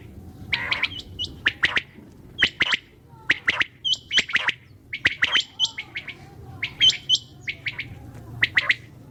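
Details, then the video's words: Night calling of common quail, clipped three-note phrases given roughly once a second, mixed with higher, thinner chirps from another caller in the background. "QUAIL SOUND||بٹیر کی اواز||NIGHT SOUND||RAAT KI AWAZ"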